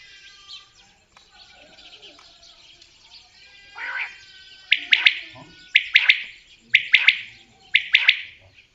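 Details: Faint murmuring and low chirps, then a common quail starts up with four loud three-note phrases, one note and a quick double, spaced about a second apart.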